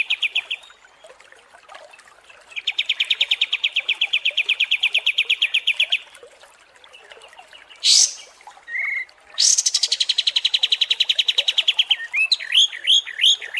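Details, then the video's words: Long master song of a Kapas tembak songbird for training competition birds: extended fast rattling trills, a sharp upward sweep, a short low whistle, then more rapid trilling ending in quick looping chirps. "MASTERAN KAPAS TEMBAK DURASI PANJANG"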